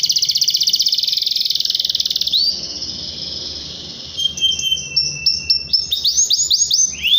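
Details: Canary in full song on a lure recording to provoke rivals and young canaries; a long buzzy high trill, a brief pause, then scattered sharp notes building into falling sweeps.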